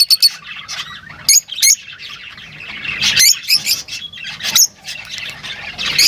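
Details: Lovebirds chattering with shrill high chirps and squeaky notes, several short bursts over a busy twittering background.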